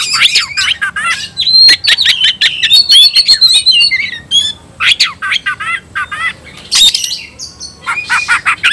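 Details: White-rumped shama calling an opponent to battle, pouring out rapid strings of high whistles and buzzy rattling notes, with jumbled phrases repeated in quick succession and short pauses between bursts.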